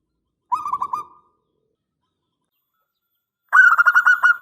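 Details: Local zebra dove with a long-phrased 'angkatan panjang' song, used as a lure to draw replies: two rapid bursts of rolling, pulsed cooing notes, a shorter lower phrase, then after a three-second silence a louder, higher phrase.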